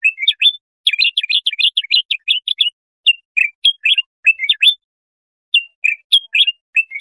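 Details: Bulbul song, played to tutor young goldfinches or hybrids: a rapid run of bright chirping and warbled notes for about three seconds, then short separate phrases with silent gaps, clean with no background noise.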